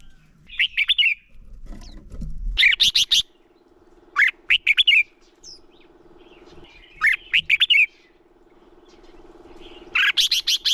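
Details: Red-whiskered bulbul male singing a lure song meant to fire up other bulbuls for competitive singing: short bright warbled phrases of three to five notes, repeated every few seconds over a steady low hum and a brief low rumble.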